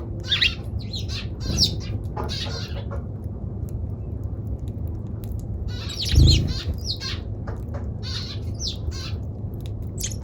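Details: Eurasian tree sparrow calling in scattered sharp chirps and brief squawky notes, some in quick pairs, spread across ten seconds against constant low background hum with a single dull thump midway.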